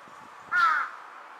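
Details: Juvenile crow in green parkland on 8 September 2022, carrying an object in its beak; a single short, harsh caw of about a third of a second against a steady background hum.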